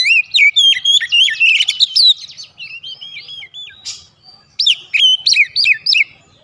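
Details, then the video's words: White-rumped shama song played as a lure so other birds answer: dense, rapid, varied whistled phrases with trills and slurs, a short pause, then sharp repeated upswept whistles. "PANCINGAN KACER MANAPUN AUTO RESPON NGEPLONG"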